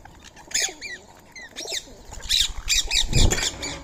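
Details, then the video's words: Free-living Indian ringneck parakeets eating soaked rice and corn on a March morning; scattered harsh, downslurred squawks from several birds, then a denser burst of screeching mixed with a low rumbling thud. "Today's Indian Ringneck Parrot Feeding | Natural Bird Sounds"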